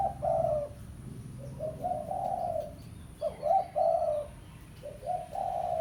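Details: Spotted dove of the pesom style used as a lure, calling a rival: soft hooting coos in phrased bursts of two to three notes, separated by short pauses, over a low steady hum.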